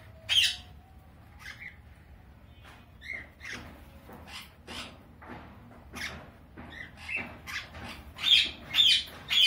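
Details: A pair of sun conures during mating give harsh, scratchy squawks at an uneven pace, mostly soft but with a few loud screeches near the start and end.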